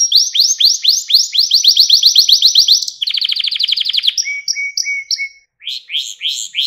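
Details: Canary song meant as a lesson for young canaries: a long roll of rising sweeps, a dense rapid trill, then paired short whistles over a lower held tone before more sweeps.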